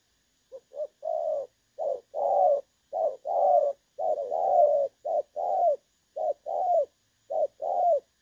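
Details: Spotted dove giving a 'đồng son' style call with a clear voice, used as a trapping decoy, 16 August 2024: paired coos near one per second, a short note then a longer descending one, repeated steadily with no other sounds.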